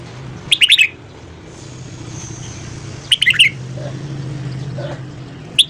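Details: Red-whiskered bulbul singing in the morning, voice-training recording: two short, sharp warbling bursts of bouncing notes about two and a half seconds apart, a third just beginning at the end, over a steady low hum.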